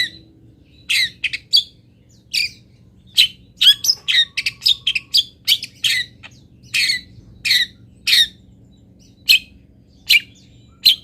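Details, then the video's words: Local long-tailed shrike fill-in song, a tutor recording from Pati: sharp grating squawks, first spaced out, then a rapid cluster of scratchy notes with a brief flat whistle, then spaced again. "ISIAN WAJIB BURUNG CENDET"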